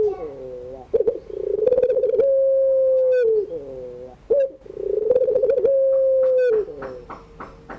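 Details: Afternoon singing of a puter pelung dove, its mournful voice a wavering trill opening into a long flat coo, the cycle repeating twice, with sharp clicking noises between phrases.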